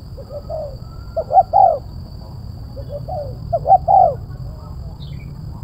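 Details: Spotted dove in 'kuk 1' style with a crisp, sharp, tightly spaced voice, meant to bring doves down: repeated three-note coo phrases, short lead notes and a drawn-out final coo, some phrases faint and others loud, over steady low background hum.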